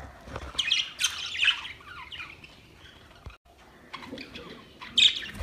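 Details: Budgerigars chatter to one another in soft, uneven bursts of scratchy, twittering chirps, with a brief quiet gap in the middle and a sharper squawk near the end.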